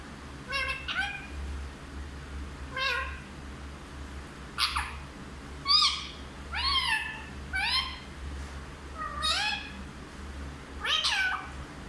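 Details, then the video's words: Hindi-talking parrot produces scattered harmonic, speech-like syllables and short swoops spread over about twelve seconds, some paired, with quiet gaps and a low background hum. "सबसे अच्छा हिंदी बोलने वाला तोता ll Parrot Talking"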